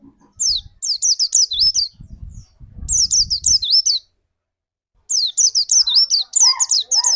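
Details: Lure white-eye, kept to trigger another bird's song, giving bursts of sharp high downslurred chirps and wavy whistled notes, broken by a silent pause of about a second, with faint low rustling beneath.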